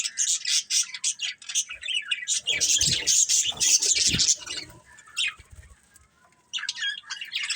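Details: Budgerigars chirping: rapid twittering in quick repeated bursts, several low flutter-like thumps in the middle, a quieter stretch, then chatter resuming.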